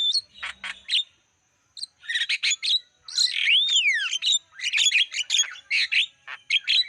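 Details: Javan myna song used to lure wild birds, with bursts of clicky chatter, a short pause, then a downward-sweeping whistle amid dense squeaky notes and chirps.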